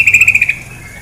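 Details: Female sooty-headed bulbul giving a quick run of about seven bright, clipped notes that fade away, over a soft background of flowing water.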